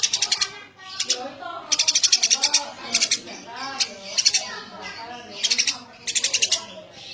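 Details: Eurasian tree sparrow in lively song, giving about seven quick bursts of harsh, high, repeated chirps in seven seconds, with a steady murmur of lower tonal sounds beneath.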